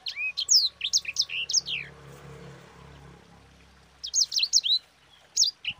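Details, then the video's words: Lure song of a sanger: a burst of high, sharply falling and rising whistles, then a couple of seconds of quiet with low background hum, then more quick high notes. "Suara Burung SANGER GACOR Ngerol Pedas paling ampuh untuk Pancingan"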